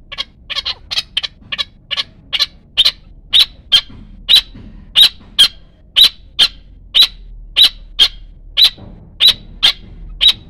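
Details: Arabian partridge calling with sharp, clipped chuck notes at an even pace, about two per second, loud and clear with little background noise.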